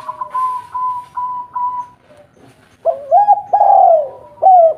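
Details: Local spotted dove with a big, mellow voice, kept to lure other doves into calling, begins after a series of level whistled tones, then sings a long throaty coo and clipped arched notes.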